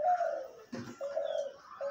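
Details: A decoy (hunting) spotted dove, described by its owner as a deep-voiced bird with dense, eager calling, gives deep, throaty, mellow coos: a drawn-out note, then two more after a brief pause, broken by a short dull knock.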